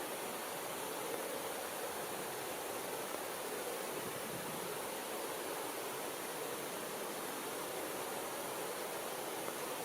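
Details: Only a constant, even hiss like rushing water or static is heard throughout, with no animal calls.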